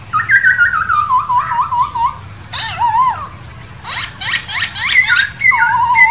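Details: Masked laughingthrush living free in the wild, giving a long wavering whistled phrase that slides downward, followed by harsh buzzy notes and a low wavering whistle at the end.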